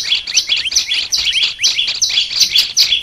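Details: Olive-backed tailorbird, training recording: a lively series of high chirps and downslurred and upslurred whistles, repeated rapidly and overlapping in a busy stream.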